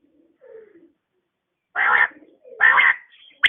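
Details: Female quail calling in the morning: two harsh, raspy bursts about a second apart, each roughly a third of a second long, preceded by faint lower notes and ending with a sharp high click.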